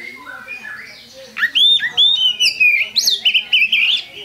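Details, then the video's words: Oriental magpie-robin, called kacer, singing as a lure bird; a soft descending warble, then a fast series of loud clear whistles and sharp chips. "Pancingan Kacer Gacor"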